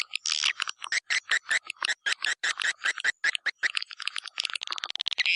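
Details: White-nest swiftlet lure call, tested in East Kalimantan and used to draw birds to swiftlet houses: rapid series of sharp chirping clicks, about two or three per second, some buzzy, with a twittering burst near the end.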